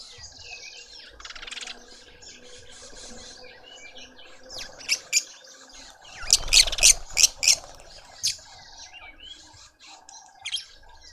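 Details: Juvenile lovebird being fed by its family in a suburban Pretoria garden, South Africa: a string of sharp, scratchy high notes peaks around the middle, over a background of soft twittering birds and a constant hum.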